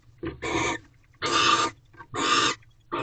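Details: Wild barn owl pair inside a nest box at Corral, night of 19 February 2023, while the female enjoys a rodent the male delivered; three long rasping hiss bursts, each about half a second, separated by short silences.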